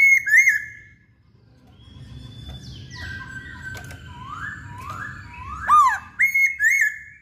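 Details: Masked laughingthrush in active song: it opens with a wavering whistle, moves into a series of soft rising slurred notes, then finishes with loud, sharply dipping whistles.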